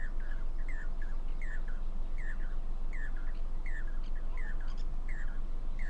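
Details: One of four Jacobin cuckoos on a wire at Damdama lake, India, possibly courting, gives loud, ringing, down-slurred notes about every two-thirds of a second over a low rumble and faint chips from other birds.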